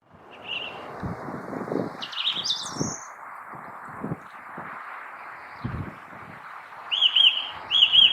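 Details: Song thrush singing: clear whistled and trilled notes jumping between pitches, then a short sharp phrase delivered twice in quick succession near the end, over a steady hissing background with dull low thumps.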